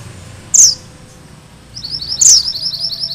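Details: Two sharp, high, downslurred chips, the second leading into a rapid run of thin rising notes, from a Sunda bush warbler valued as tutor song for training magpie robins.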